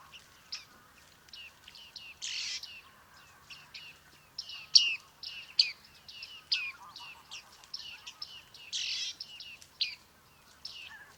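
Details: Bearded tit at Liepāja, Latvia, in July 2023: a busy, continuous run of short, high, metallic chips and pings, with occasional harsher buzzy bursts among them across eleven seconds.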